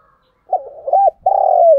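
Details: Decoy spotted dove luring wild doves gives a stuttered run of short coos followed by one long, rough, sustained note sliding down at its close; otherwise quiet.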